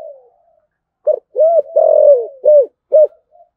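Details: A spotted dove gives a series of soft, hollow coos that rise slightly and fall away, an urging call with cooing used to stimulate doves to coo.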